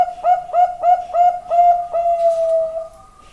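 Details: Zebra dove song phrase: six short, scooping coos that speed slightly and merge into a long, even, fading note.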